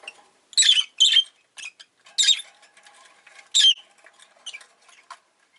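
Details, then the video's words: Harsh, rapid squawking chirps from a rosy-faced lovebird, loud bursts in quick succession over background rustling and soft ticks. "Lovebird Chirping Sounds"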